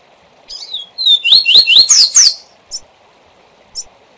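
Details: Rusty-collared seedeater delivering its SIL SIL ZEL ZEL song type as a learning model: a brief buzzy lead-in, then a tight series of high, rising whistled slurs, closing with two separate short chips.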